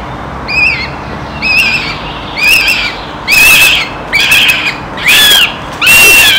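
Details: In the evening, a young Northern goshawk repeats thin, high, whining begging calls about once a second, each slurred and growing louder and harsher over the series.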